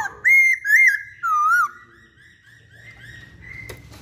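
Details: Masked laughingthrush singing three loud, pure whistles in quick succession, the first two high and slightly arched, the third lower and wavering, followed by a quiet sustained tone and a single click.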